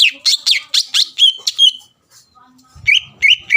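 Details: Greater green leafbird, a lure song meant to provoke rival birds into answering: loud whistled notes sweeping down from high pitch, in quick bursts, then a short pause and a few more falling whistles.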